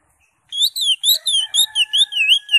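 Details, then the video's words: Greater green leafbird singing steadily with its crest raised: loud, high, wavering whistled slurs in a rapid run of about eight phrases, over a faint, steady, lower whistled tone. "CUCAK HIJAU (ijo) NGENTROK JAMBUL GACOR FULL ISIAN"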